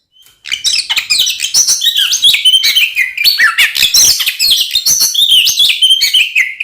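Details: Oriental magpie-robin in full, lively song used as a lure to provoke other magpie-robins into fighting: dense, fast streams of varied whistles, trills and rising and falling notes without pause, loud and high-pitched.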